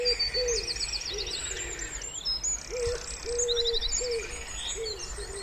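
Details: Spring pondside wood pigeon giving low, hollow coo notes spaced through the phrase, while other songbirds add rapid high trills and twittering in the background.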